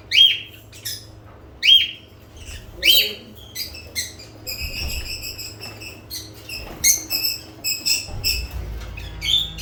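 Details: Lovebirds calling: short sharp high chirps with rising then flat shrill notes, spaced a second or more apart at first, then a denser run of buzzy, grating chatter; faint low hum beneath.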